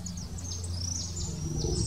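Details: Common waxbills at Jurerê, Florianópolis, Santa Catarina, Brazil, in November 2020 give thin, high, quickly repeated downslurred chips, several birds overlapping, over a steady low rumble of background noise.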